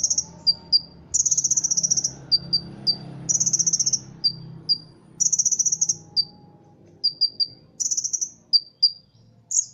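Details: A competition-trained Ruby-cheeked sunbird in Indonesia mixing cricket mimicry into its song: harsh, buzzing high bursts of roughly a second, each followed by two or three crisp descending chips, repeated throughout.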